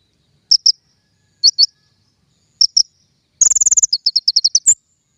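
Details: King konin trapping lure: paired high chirps spaced about a second apart, then a rapid rattling trill running into a quick series of descending sharp notes.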